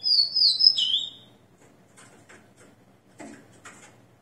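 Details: A freshly moulted captive Rufous-collared sparrow, recorded at 6 am on 29 September 2021, ends a high whistled phrase with a falling slur, then only soft scattered clicks and taps.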